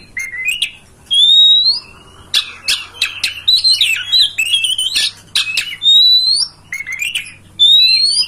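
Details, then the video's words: Oriental magpie-robin singing a loud, varied string of clear rising whistles, sharp clicks and scratchy notes in rapid phrases, played to coax a pet magpie-robin to open its tail and display. "Masteran kacer agar ngobra"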